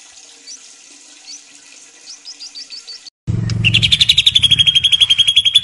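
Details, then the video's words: White-rumped shama of the Medan type, singing very vigorously: faint high chirps, then a sudden cut to a loud, fast run of sharp repeated notes, about four per second. "Mantab Kicau Murai Batu Medan Super Gacor Sekali"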